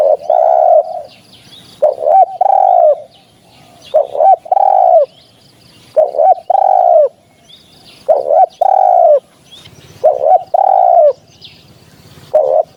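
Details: Hunting-lure recording of a spotted dove: repeated phrases of low, breathy coos, each phrase opening with short notes and ending on a longer one, recurring roughly every two seconds; light higher chirps in the background.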